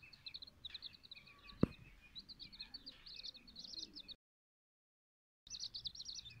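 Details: Silkie and Golden Sebright chicks peeping: high, thin repeated cheeps in quick bursts, a sharp knock early on, a brief gap of silence, then more busy peeping.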